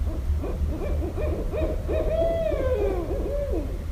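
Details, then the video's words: Barred owls in Westchester, New York, recorded 5.1.17; a fast chattering series of clipped hoots, then a drawn-out wavering hoot that slides downward, followed by more rapid cackling notes, over steady low hum. "Barred Owl Calls (New York)"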